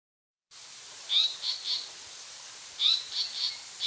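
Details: Male Japanese paradise flycatcher at Nojasan giving alarm calls: two groups of short, sharp, high chips, each a stressed note followed by two or three softer ones, about a second and a half apart, over steady faint hiss.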